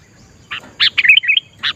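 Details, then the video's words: Sooty-headed bulbul singing in the wild: a quick, lively phrase of bubbly, liquid chirps, one rising then falling, closed by a single clipped note, with no other sounds. "Tips Melatih Kutilang agar Gacor Adalah Dengan Mendengar Langsung Suara Di Alam"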